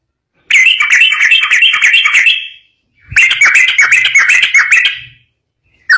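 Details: Long ropel-style outbursts from a yellow-vented bulbul, played to get other bulbuls singing: two sustained rapid chattering trills of about two seconds each, separated by a short gap, ending with a single note.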